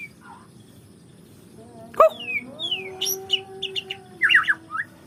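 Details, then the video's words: ['White-rumped shama singing after a sharp knock: a loose string of clear whistled notes and quick up-and-down sweeps, ending in a dense burst of fast descending chips, over a low background hum.'] "suara burung muray"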